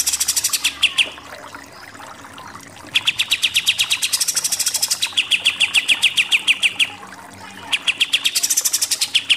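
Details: Rapid 'nembak'-style song from a Pied triller for training contest birds: fast volleys of sharp repeated notes, roughly three per second, with high-pitched buzzy sections and a quiet gap.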